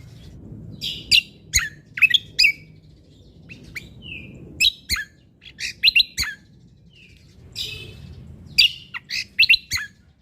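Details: Actively singing Sumatran leafbird from Lombok with nature-sound fill-ins: clusters of sharp, high chips and slurred whistles come in irregular bursts of two to four notes, with short soft whistles between. Faint low background noise.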